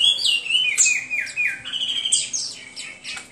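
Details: Hwamei in full song, pouring out descending whistled slurs and sharp high notes in a quick, irregular series, loud and musical.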